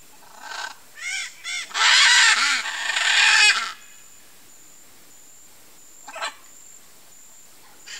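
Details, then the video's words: One of a nesting pair of blue-and-yellow macaws at a nest among trees gives harsh, raspy squawks: three short calls, then a long grating screech of nearly two seconds, and a lone squawk later, over a faint steady hiss. "Arara-canindé Casal em Nidificação: (Ara ararauna), Blue-and-yellow Macaw"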